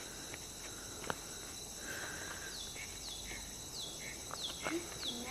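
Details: Cucak ranting (Grey-bellied Bulbul) at a roadside, with a caged decoy used for luring. Thin, sharply down-slurred whistles are repeated about every half second, along with a few softer lower notes and a constant insect drone.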